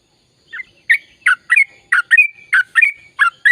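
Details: Yellow-vented bulbul starting its ropel song after a brief silence: a rhythmic series of rich, gurgling whistled notes about three per second.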